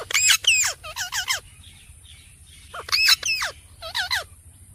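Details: Alexandrine parakeet, natural sound, talking: two bursts of loud, harsh, ringing squawks, each a quick cluster of three or four strident descending notes, with a quiet gap between.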